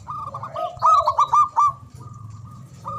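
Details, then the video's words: Local Javanese zebra dove with a loud, big voice, used to coax silent or lazy doves into song: a burst of four or five fast, stuttering coos, then a soft sustained hum of cooing, low background rumble. "Pancingan Ampuh Pendongkrak Perkutut Bisu🔇 Malas Bunyi🔊 Bikin Rame"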